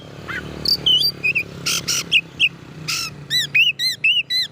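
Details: Oriental magpie-robin song used to provoke other magpie-robins: varied whistled notes, sharp upswept and downswept phrases, a few harsh buzzy bursts, then rapid arched whistles repeated at the end, over a low hum.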